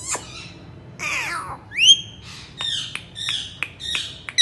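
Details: Talking Indian ringneck parrot gives softer scratchy squawks, a bright upward-swept call, then a string of short clipped notes over faint room hiss.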